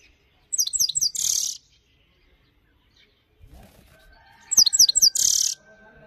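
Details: Himalayan goldfinch singing in a clean voice: two bright high bursts of quick descending twittered notes, each ending in a buzzy rasping note, separated by a few seconds of near silence with a faint steady hum.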